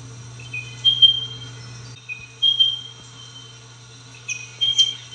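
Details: Spotted pardalote repeating a thin, high three-note whistle, a lower first note and then two higher ones, about every two seconds, heard three times over a steady low hum.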